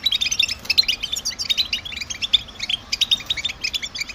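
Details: European goldfinch song, the stimulating type used by males to attract females: quick tinkling notes and short whistled slurs in a fast, jumbled, high chatter.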